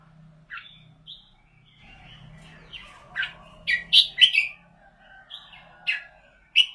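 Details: Red-whiskered bulbul, a cage bird noted for its golden voice, starts with scattered single chirps, then builds to a quick run of loud, rolling warbled notes, with soft twitters and a low hum beneath.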